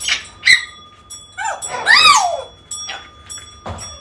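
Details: Calls of an African grey parrot, used to attract a lost bird home: quick whistled upsweeps, a loud rising-and-falling harmonic squawk near two seconds, then clipped raspy notes, with a faint steady ringing tone in the background.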